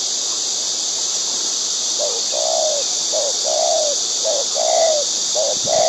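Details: A wild white-breasted waterhen, shown feeding its chicks, gives a steady run of paired low notes, a short one then a longer falling one. A loud constant high hiss sits behind the calls.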